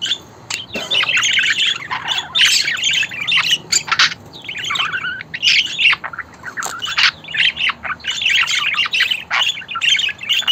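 Budgerigars keep up a busy, nonstop chatter of high chirps, squeaky warbles and short scratchy squawks that tumble over one another with barely a pause.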